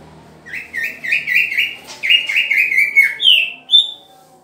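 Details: Green leafbird during pairing: a fast chain of chirped, warbling notes about a dozen long, ending in two higher, drawn-out whistles, with a brief click midway.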